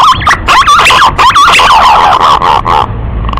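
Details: Male green pigeon calling to a female: loud, rolling whistled phrases with looping pitch turns, repeated several times before fading into background hiss.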